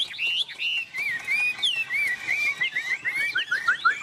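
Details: Tame hwamei on a person's hand, a rapid string of short slurred whistles that drift gradually lower in pitch across the phrase.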